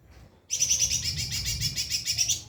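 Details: White-rumped shama singing as training material for other birds: a dense, rapid trill of high buzzy notes pulsing about ten times a second for two seconds, with low background hum.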